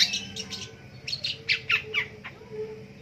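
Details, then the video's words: Long-tailed shrike singing in the morning: a run of harsh, scratchy notes, then sharp downslurred chips spaced about a quarter second apart, with a faint low hum behind. "DENGERIN PENTET BUNYI DI PAGI HARI"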